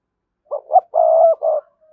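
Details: Spotted dove coo used to attract wild doves: one full phrase of two short rising notes, a long sustained mellow coo, and a shorter closing note, fading into a faint tail.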